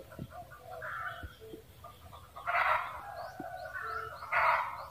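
Red junglefowl cackling: a run of clucking notes builds into two loud, harsh bursts about two seconds apart, with faint high chirps of small birds behind.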